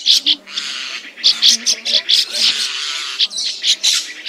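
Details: Lure recording of migrating red-billed starlings for net trapping: rough, scratchy squawks and chatter in quick bursts, with one long grating note near the middle and a faint low hum throughout.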